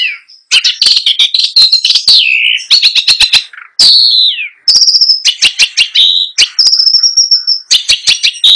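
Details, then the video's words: Long-tailed shrike, a trophy-winning contest bird now dead, in full 'isian' song: a rapid, nonstop medley of sharp chirps, clicking trills, sweeping downslurs and sustained high whistles, with almost no pauses. "PENTET GACOR FULL ISIAN | LAGU MEWAH | NGEROLL NONSTOP"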